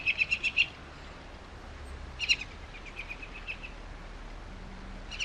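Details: Hen Harrier giving a quick burst of about six sharp, clipped notes in rapid succession, followed by a fainter, looser series of similar notes and another short burst at the end, over a steady background hiss.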